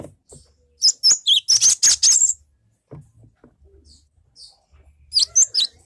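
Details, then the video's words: Cinereous tit (gelatik batu) singing in a lure recording to trigger song from other birds: a string of about eight loud, high, rapid chattering bursts, then quiet, then a few sharp high notes. "SUARA ASLI gelatik batu pancingan"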